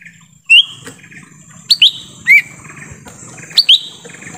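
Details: Lesser green leafbird in forest, used to lure wild birds: scattered sharp rising whistles, single or doubled, at an irregular pace, with a constant thin hum behind.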